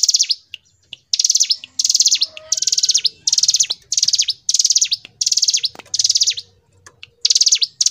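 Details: Hill prinia singing gacor ngebren: a long run of short, rapid high trills, each finished with a dropping swoop, repeated roughly every 0.7 seconds. Faint clicks and low tones are in the background.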